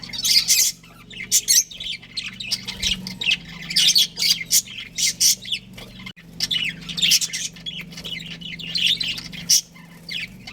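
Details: A pet budgerigar breeding pair chatters in two long runs of fast, squeaky chirps and gritty squawks, with a quieter gap between them and a low hum throughout.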